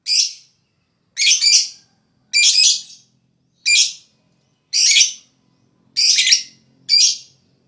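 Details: Lovebird calling to stimulate other lovebirds to sing: a string of rasping, high squawky bursts, each under a second, coming about once a second against a quiet background.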